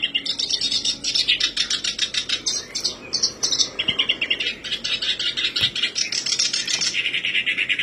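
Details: Lure recording of a black-browed reed warbler singing to prompt birds to sing: a long, continuous harsh chatter of quick repeated notes, changing pitch between phrases, scratchy and rhythmic throughout.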